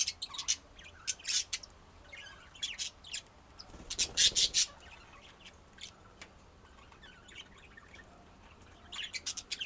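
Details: Budgerigars kept as pets, with bursts of broadband chirps and scratchy squawks in clusters, louder around four seconds, separated by quieter chattering warble.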